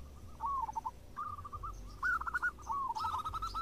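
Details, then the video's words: Local zebra doves calling back and forth: a few brief phrases of rolling, wavering coos in quick succession, soft, over low background rumble. "PERKUTUT JADI RAMAI SALING SAHUT !! (Perkutut lokal gacor)"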